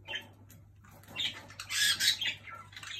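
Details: A Jenday conure annoying another bird gives harsh, grating squawks in short bursts, loudest near the middle, over a steady low indoor hum.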